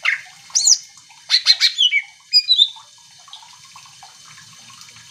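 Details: Greater green leafbird song meant to trigger other leafbirds into singing: a few slurred whistles and a burst of harsh clicking notes in the first half, then quiet with a faint background hiss.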